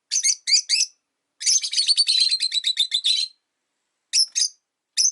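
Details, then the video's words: Five caged rosy-faced lovebirds by a window, chattering in winter: three separate sharp chirps, then a fast run of about fifteen rapid, slightly descending chirps, followed by a few more single notes. "冬とか関係なく良く鳴く子【Lovebird Chirping Sounds"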